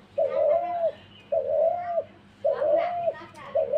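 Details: Dove calling indoors: three smooth, low, drawn-out coos, each under a second, about a second apart, with children's voices faintly in the background.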